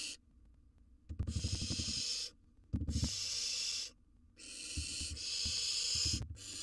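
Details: Barn owl nestling, wild, inside a nest box while eating a gerbil: repeated harsh hissing screeches overlapping loud scraping, tapping and rustling as the chick moves and tears at its food.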